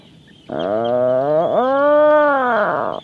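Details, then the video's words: A single long, rich moaning call from an Atlantic puffin, with a brief dip midway before the groan continues steadily and fades. "SUARA ANEH BURUNG ATLATIC PUFFIN"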